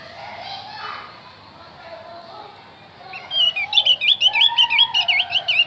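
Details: Javan grey-throated white-eye song for luring wild birds: after three seconds of low murmuring background, a fast, high, twittering phrase of looped whistled notes, nearly three per second.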